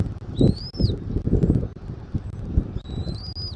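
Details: Nest camera in Southwest Florida, 13 January 2024, 14:17: a bald eagle gives two clear, high, rising whistles, the second longer, amid deep booming wind noise.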